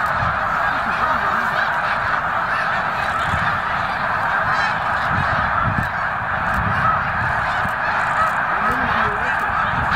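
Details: Migrating snow geese at Victoriaville, November 2018: a massed flock keeps up an unbroken wall of high, nasal honking, with many birds calling at once and faint low rumbling underneath.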